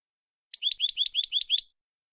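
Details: European goldfinch singing a "copia Málaga" style phrase recorded in 2020 to tutor young birds: a fast, bright run of seven identical swooping notes, about seven per second, high-pitched and clean.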